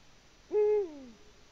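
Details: Latvia, 14 February 2020: a Eurasian eagle-owl in the nest gives a solitary booming hoot, level at first and then dropping in pitch as it fades, surroundings otherwise still.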